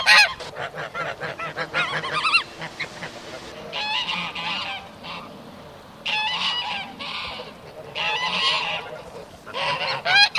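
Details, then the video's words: Geese honking, often swimming on water: bursts of harsh, nasal honks in quick clusters with gaps of quieter background, several birds overlapping, some calls rising and falling in pitch. "The sound of geese"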